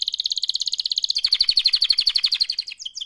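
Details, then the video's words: Canary song given as a mating call: a rapid, even trill of repeated pulses about four per half second, shifting midway to a brighter, faster rolling series before a brief swept note. "Active LIVE mating call Canary Singing"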